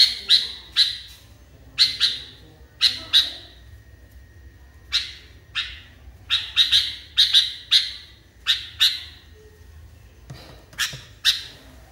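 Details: Caged sooty-headed bulbul in an agitated state: sharp chirps in pairs and short bursts, then a pause, then a brisk run of paired notes and a final cluster.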